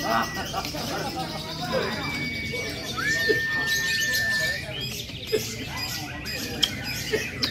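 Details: Lovebird performing in a contest fighter session at a national gathering near Borobudur: scattered chirps, then one long even high note held about one and a half seconds, with crowd talk and sharp clicks behind.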